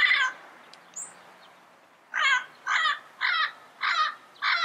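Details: Yellow-headed parrot calling in the wild: one opening squawk, a quiet pause, then five evenly spaced harsh, buzzy notes about half a second apart.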